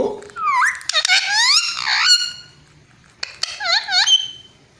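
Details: Talking parrot imitating a cat's meow: squeaky, harmonic, rising-then-falling meow-like calls in a quick run over the first two seconds, then a pause and a second burst of wavering, bending notes, indoors.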